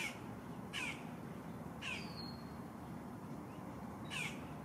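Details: Green heron nestlings, three siblings in a nest at Lake Hollingsworth in Lakeland, Florida, competing for a parent's fresh catch; four loud, raspy, downslurred squawks spaced roughly a second apart against a steady low hum.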